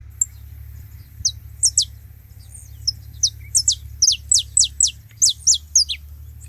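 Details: Several saffron finches together at a bait feeding spot, making noise: a string of high, sharp downslurred chirps, sparse at first, then quickening into a rapid run of about a dozen notes, over a steady low hum.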